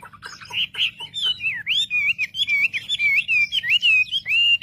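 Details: Wambi song meant to stir up other wambi birds: a fast, continuous run of bright whistled warbles, looping up and down in pitch, opening with sharp ticking notes.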